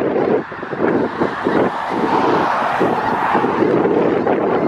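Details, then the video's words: Around 5000 snow geese gathered in south Grayson County, Texas, in February 2018; a steady din of massed honking calls blurred together, with some wind-like rumble underneath. "Snow Geese Grayson County"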